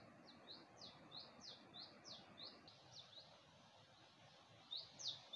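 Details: Small bird singing at early dawn at Gulmit, Hunza, with a view of the Passu cones: a fast series of high, thin sliding notes, about three per second, fading midway and returning louder, over a steady hiss of background noise.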